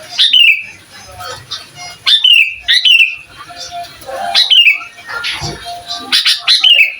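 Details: Sooty-headed bulbul singing, a master recording to provoke other bulbuls: five crisp descending whistled phrases, each quickly dropping in pitch, delivered at uneven intervals of one to two seconds.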